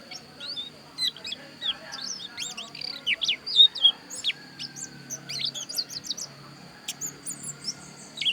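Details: Javan white-eye of the Bali dakun type from Pupuan delivering a lively, high-pitched song of quick up-and-down whistled sweeps and sharp chirps, about four notes a second, with brief pauses between bursts.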